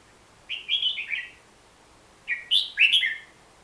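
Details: Song of the hook-billed bulbul, a Bornean forest bird: two separate quick phrases of bright chirping notes, each under a second, stepping up then dropping in pitch, with a low steady hiss behind.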